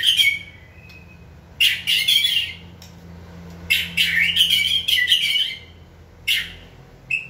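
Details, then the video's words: White-rumped shama in training, stimulated to sing, producing short bursts of rough chattering and buzzy notes with quiet gaps, ending in a brief thin whistle, over a faint room hum. "Kỹ thuật kích thích lửa cho chim hót (shama bird)"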